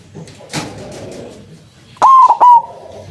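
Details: Perkutut putih, a white zebra dove with a loud voice, recorded as a trapping lure: a single quick phrase of three loud cooing notes near the end, after quiet background noise and a faint knock.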